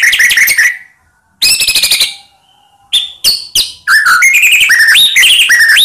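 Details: White-rumped shama song played as a lure to rouse quiet shamas: rich slurred whistles, a buzzy trill, sharp separate chips, then a run of rising whistled notes.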